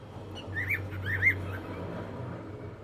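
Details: Cockatiel singing while enjoying the evening: two clear whistled notes with rising and falling slurs, close together, over a steady low hum.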